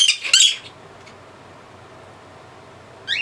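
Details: Harsh, piercing screeches from a pet male blue-crowned conure, a bird given to shrieking bouts of about three minutes, mostly at dusk; two loud rasping bursts open, then quiet, then a third shriek begins at the close.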